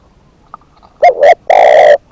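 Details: Spotted dove kept as a decoy bird, calling a single phrase of two quick clipped coos and then a longer rough, sustained coo; one faint click precedes it.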